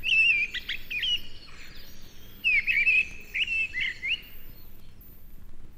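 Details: A mistle thrush, the "stormcock" that may sing in January winter gales, sings in British broad-leaved woodland: two short, loud fluty phrases of clear whistled notes, each about a second and a half, with a pause between.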